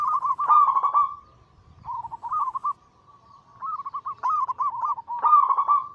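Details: Zebra doves in chorus, Bangkok local crossed with cemani katuranggan silver, singing anggungan to spur silent doves. Trilled coo series repeat in four bursts, some overlapping, over a faint steady hum.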